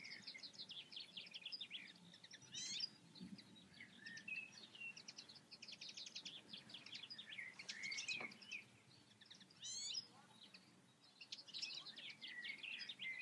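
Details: European goldfinch from the Eifel delivering a long, fast run of tinkling, twittering notes mixed with nasal buzzy trills and sharp chirps, nearly continuous for thirteen seconds against faint low background noise.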